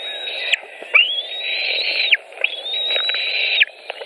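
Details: White-tailed eagles at a nest in Latvia, 23 June 2018, during feeding: long, high, thin whistled squeals, each held steady then dropping sharply at the end, repeated in a run, over a faint low hum.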